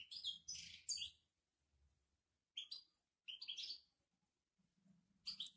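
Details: European goldfinch from Morocco delivering "babtaba" song: quick, tinkling chattered phrases in three clusters with silent gaps between them, over a faint low hum.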